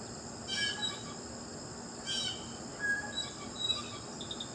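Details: Blue jay giving two harsh, buzzy calls about a second and a half apart, with faint high chips after them, over a steady high insect drone.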